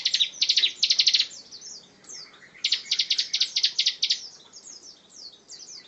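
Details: Bar-winged prinia in lively 'ngebren' song, heard as bursts of fast buzzy pulses mixed with quick downslurred chirps in an unbroken chattering stream.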